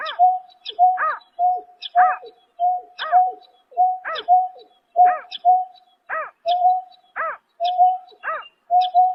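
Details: Long, even series from a greater painted-snipe calling at night in March 2024. Level low whistles alternate with arched, harmonic-rich hoots, keeping a regular pace of about one per second.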